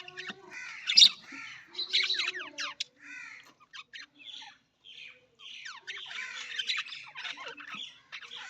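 Budgerigars chatter with a rapid jumble of warbles, squeaks and scratchy chirps, broken by brief pauses and a few sharper squawks.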